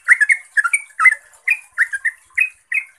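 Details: Yellow-vented bulbul, called trucuk, delivering its chattering 'ropel' lure song: short groups of two or three liquid, slurred notes, steady and loud, with gaps between phrases and a faint high hiss behind.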